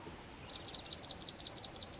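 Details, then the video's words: A Karoo prinia in a bush in the southern Karoo gives its typical piping call: a fast series of high, sharp notes, about five per second and steady in pitch, with faint background hiss. "Karoo Prinia calls - the typical calls and the warning calls"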